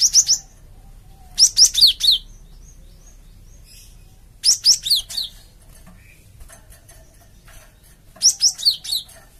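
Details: Lure calls of a gelatik batu (cinereous tit) meant to provoke other birds into answering: three separate bursts of four or five quick, thin, high whistled notes, each burst falling slightly in pitch.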